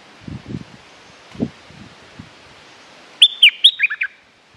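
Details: Stripe-throated bulbul, recorded as a lure for territorial birds, gives a short burst of six quick warbled notes, bright slurred whistles falling to lower chirps, after soft low thumps and rustling.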